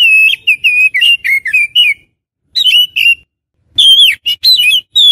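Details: Oriental magpie-robin used to lure others in the wild: rapid strings of clear whistles and chirps in three bursts, the last loudest with sharp rising notes.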